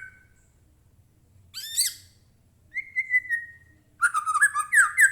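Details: White-rumped shama singing, offered as a lure to spur captive shamas to answer: a sharp upward-sweeping note, a level wavering whistle, then a loud, rich, tumbling phrase of mixed whistles and harsh notes.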